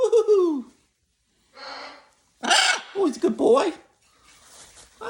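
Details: Jubilee hybrid macaw; talking; greeting people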